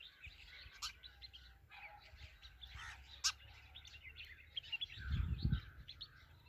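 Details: Sparrows twittering in a steady stream of quick, high chirps with a few sharper clicks, then a low rumbling thud near the end.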